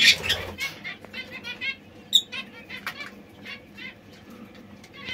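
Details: Young white zebra finches calling: clipped, nasal, trumpet-like notes repeated in uneven bursts, sometimes overlapping as several birds call together in a quiet setting.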